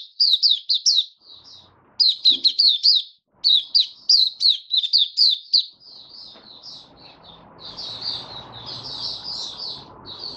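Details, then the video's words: Caged white-eye, March 2022, in warm humid conditions: fast high-pitched warbled notes repeated about four per second for six seconds, then softer thin whistles over rising low background noise. "Mata Puteh Kitaro Video 1 buka sing"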